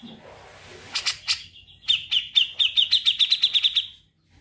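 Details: Grey-cheeked bulbul singing in the ngetril trilling style: a few harsh broadband notes, then a fast run of about fourteen sharp, even chip notes on one high pitch, slightly quickening over two seconds.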